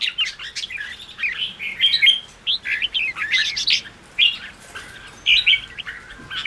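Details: Red-whiskered bulbul song in the ché style, used to rouse weak or freshly caught birds: fast, scratchy, warbling phrases packed closely together, broken by short gaps, with sharp upper notes.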